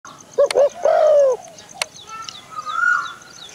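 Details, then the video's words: A dove gives three low, soft coos, the last one drawn out, followed by a fainter higher whistle; two sharp clicks and a thin high background tone are also present. "Dove Call Sounds ।। फाख्ता पक्षी की आवाज़।। फाख्ता पक्षी की बोली।"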